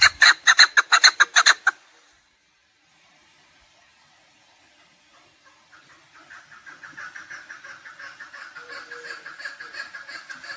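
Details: Loud, quick string of rasping clucks from a chukar partridge lasting under two seconds, then a pause, then a softer, more distant series of calls building slowly. Recorded for partridge hunting.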